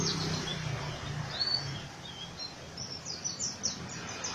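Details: Oriental white-eye in 'ngriwik kasar' rough song style; after a noisy low rumble, high sharp chirps come in quick repeated bursts toward the end.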